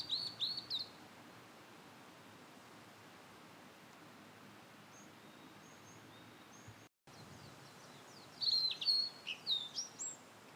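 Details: Blue-and-white flycatcher in satoyama countryside: an opening burst of quick high whistles, a long quiet stretch with faint distant notes, then a lively phrase of sharp, falling whistled notes.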